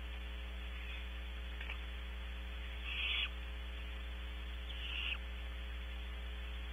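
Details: Barn owl owlet in a nest cavity at Audubon Starr Ranch, California, heard through a nest camera: two short, harsh hissing screech bursts about two seconds apart, over a steady low electrical hum.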